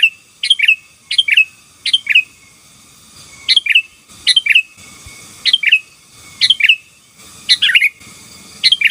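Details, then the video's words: Lively 'gacor' song of a sooty-headed bulbul, sung to dominate rival birds: about ten crisp, bubbly chirping phrases, often paired, each a quick cluster of liquid notes, with a thin constant tone behind. "Suara Burung KUTILANG GACOR || Ampuh Menekan Lawan"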